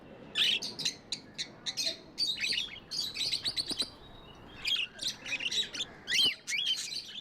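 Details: Budgerigars giving clear separate chirps and short warbling phrases in quick bursts, a few whistled upslurred notes among the chatter, quiet background.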